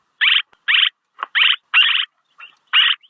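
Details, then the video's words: Swallow lure recording: grating chirp bursts, each about a quarter second long, coming in an uneven series with softer, fainter chips between them. "ສຽງນົກແອ່ນ ຄໍເລດ(ສໍາລັບຕໍ່) Tiếng én, Tiếng Chim Én เสืยงนกแอ่น"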